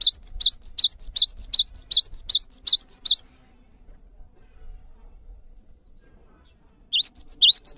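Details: Java sparrow song meant to make birds sing more: quick paired chirps, a rising note then a shrill higher one, repeated steadily for three seconds, then a long silence, then the same pattern again.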